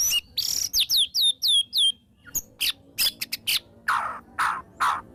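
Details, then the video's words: White-rumped shama singing, used as a lure to get shamas to sing: a string of clear downslurred whistles, then sharp clicks and several harsh, raspy bursts. "murai batu gacor EMOSI NGEPLONG full isian TEMBAKAN jitu jadikan pancingan murai batu agar bunyi"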